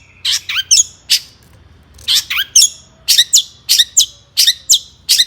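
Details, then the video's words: Long-tailed shrike in agitated song, used to rile other shrikes into singing, delivering paired harsh squawky notes with hooked high whistles in irregular clusters separated by short gaps. "burung cendet gacor EMOSI AMPUH untuk PANCINGAN CENDET AGAR BUNYI"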